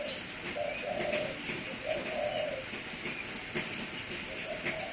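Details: Spotted dove used as a decoy, with repeated hollow coos in short-then-long phrases spaced a second or so apart, against background hiss and faint chirps.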